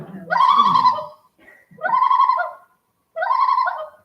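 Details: Common loon tremolo, a distress or alert call given when a threat comes too close: three quavering, laugh-like bursts, each near a second long, at a steady mid-high pitch with short pauses, over faint room tone.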